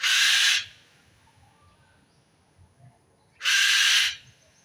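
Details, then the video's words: A bird gives two loud, harsh, rasping screeches roughly three seconds apart, each about half a second long, with only faint low noise between them. "Suara Burung"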